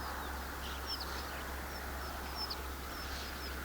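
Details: Wintering flock of roughly 200 to 400 snow buntings on the move in February, Haldimand County, Ontario: scattered thin high chirps and short whistled notes from many birds over steady low rumble.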